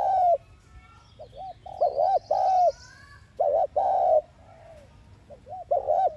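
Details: Lure spotted dove cooing thúc gù to provoke caged doves: deep rounded coos in paired phrases, a longer falling note closing each, while a faint high buzzing sweep sounds briefly in the background.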